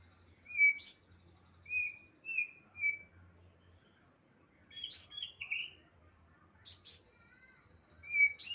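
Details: Young flowerpecker learning to sing: sharp high chips in clusters, thin short whistled notes between them, and a faint low hum underneath.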